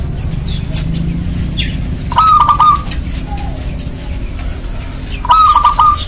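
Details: Two rolling, stuttered coo phrases from a local Indonesian zebra dove (perkutut lokal), sung steadily to lure other doves into calling. The phrases come roughly three seconds apart, with a fainter lower coo between them and constant low-pitched background hum.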